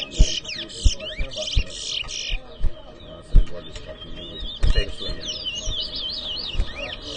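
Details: Chestnut-bellied seed finch (towa towa) competing in a whistling contest in New Amsterdam, Guyana: loud clustered whistles and swooping slurs for about two seconds, a pause, then a lighter chattering run of high notes, with clicks and talk behind.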